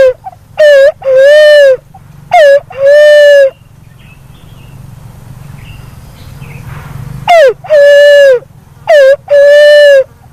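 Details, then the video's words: Repeated calls of a black-naped fruit dove: four loud two-part phrases, each a brief falling note and then a drawn-out level hoot. Soft background hiss fills the pause midway. "SUARA BURUNG PUNAI WALIK HAJI‼️WALIK KEMBANG"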